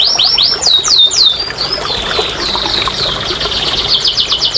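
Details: Singing canary, played as therapy to provoke reluctant birds: a few looping whistled swoops, then a smooth sustained roll breaking into rapid repeated high notes.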